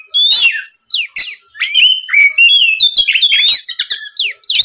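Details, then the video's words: Oriental magpie-robin song used as a lure to provoke rival males into answering: loud, varied whistled phrases, rising and falling slurs and sharp chirps in quick succession with short pauses. "MEMANCING KACER LAWAN AGAR LEKAS BUNYI NYAUT & GACOR, SUARA PIKAT BURUNG KACER GACOR NGEPLONG"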